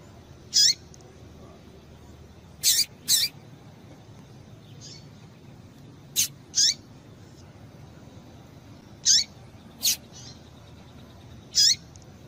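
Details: Female rusty-collared seedeater calling to stimulate males: sharp, high, brief notes, single or in pairs, dropping in pitch, spaced several seconds apart over a low steady background hiss.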